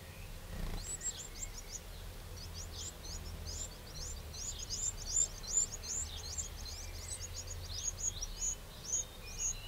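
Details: Eurasian wren in a garden in the Châtillonnais, Burgundy, France, on 2 June 2023, giving a fast, loud run of high, sharp notes and trills for several seconds, over a low background rumble.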